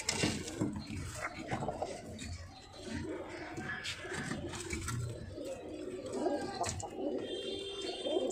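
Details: Domestic pigeons for sale coo in low, gurgling phrases amid rustling and a few sharp knocks, with faint speech in an enclosed room.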